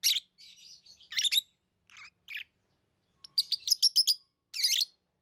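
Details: Chattering chirps from pet lovebirds, a mix of rasping notes and softer warbled bits, then a rapid run of sharp stacked chirps and a final harsh burst.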